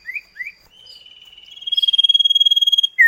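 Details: Common iora in a duet used to lure kept birds to sing; two upslurred notes, then a long pulsing trill that builds in loudness, ending in a sharp falling note.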